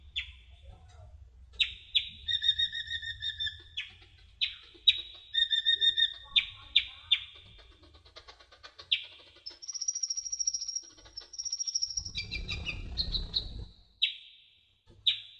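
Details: Kolibri ninja sunbird in masteran song: rapid repeated buzzy trill phrases alternating with clipped chips, then a very high sustained whistle, a brief noisy burst, and final sharp notes.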